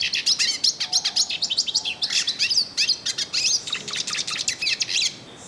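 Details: Yellow-faced siskin singing at length in the wild: a fast, jumbled twitter of high chirps, trills and short buzzy notes in quick succession, with a faint low steady tone running beneath.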